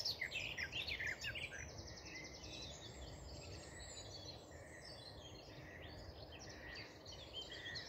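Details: Eurasian blackcap singing on a morning walk on 24 April: a fast, rich warble of varied chattering notes ending in a higher-pitched flourish, typical of blackcap bursts, with other birdsong and steady background hiss.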